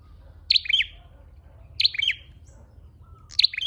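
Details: Lure call of a red-headed flowerpecker: three high, squeaky chirp phrases, each with a bright opening note and falling twitters, evenly spaced about 1.4 seconds apart over soft background hum.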